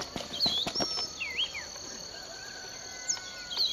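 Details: Unknown songbird in a Bulechia sugarcane field, Western Kenya, December 2011, giving a few sharp whistles and a looping slurred note, with a later whistle after a pause; knocking sounds and a constant shrill insect hum underneath.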